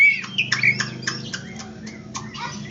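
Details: Oriental magpie-robin in energetic singing form, used to provoke silent birds into singing and restore their fighting spirit. A quick series of harsh, rasping squawks is mixed with a few short whistled notes, over a low background hum.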